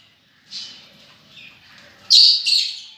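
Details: Lovebird calls: a thin squeak, a soft pause, then two loud piercing shrieks in quick succession.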